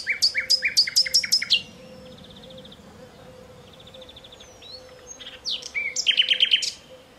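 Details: Nightingale in riverside alluvial forest by the Danube, Dunajske Luhy, Slovakia: a burst of loud repeated sharp chips opens, soft buzzy rattles follow, then another rapid churring trill of strong notes, over a constant faint low drone.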